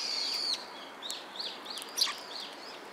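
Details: Sparrows at a Tenmangu shrine on 17 December 2016, giving short arched chirps roughly once a second after a longer buzzy opening note, over a steady background hiss.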